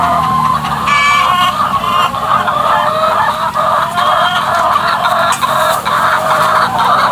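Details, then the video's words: Chickens making weird noises: loud, strained, harmonic squawks and drawn cackles overlap almost continuously, with a steady background hum underneath. "Weird Chicken Noises"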